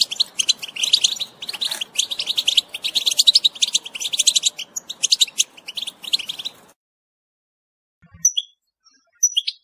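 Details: Telqam-style song of a European goldfinch, delivered as bursts of fast, tinkling twitters and buzzy trills for about seven seconds, then a silence broken by a few isolated thin notes.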